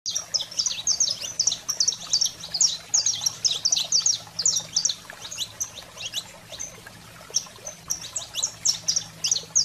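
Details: Saffron finch in 'fogo selvagem' (wild fire) agitated song, used to stimulate pet canaries: dense bursts of sharp, high-pitched chips and short slurred notes, pulsing in rapid clusters with brief pauses, over a faint steady low hum.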